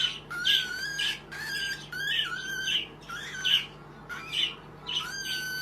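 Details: Young cockatiel chick giving harsh, buzzy calls roughly once a second, each a grating burst with a squealing rise or fall, in a quiet room with a faint hum behind.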